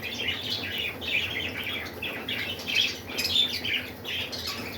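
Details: Budgerigars (Melopsittacus undulatus) feeding, chattering in a steady stream of scratchy, high chirps and squawks.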